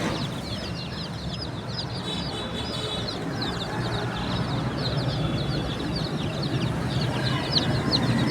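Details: Many chicks peeping continuously, shrill short notes that drop in pitch, some longer flat whistles mixed in, growing slightly louder over a constant low hum.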